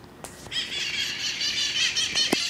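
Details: Flock of wild San Francisco parrots pausing in a backyard tree before taking off, caught on an iPod: dense, continuous harsh squeaky squawking with overlapping voices, a few sharp clicks and knocks mixed in.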